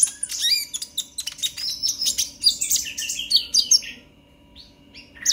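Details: Purple-throated sunbird (konin) in lively 'ngobra emosi' song, meant to spur other sunbirds: four seconds of fast, high, sparkling chatter with rising squeaks, then near silence and a final sharp note.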